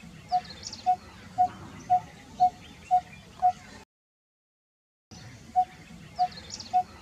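A coppersmith barbet gives hollow, metallic 'tuk' notes, evenly spaced about twice a second on one pitch, over a low background hiss with faint other birds.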